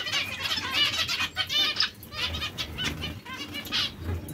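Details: Zebra finches in breeding pairs chattering with dense nasal, buzzy notes repeated quickly, multiple birds at once, some soft wing flutter beneath.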